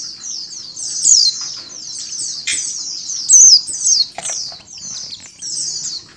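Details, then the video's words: Female mountain white-eye calling, combined with the calls of a flock of white-eyes, played to make caged birds open their beaks; high, thin chattering twitters run almost continuously, with brief sharper notes and a few wing-flutter bursts. "PLECI BETINA ngecal + suara pleci ombyokan"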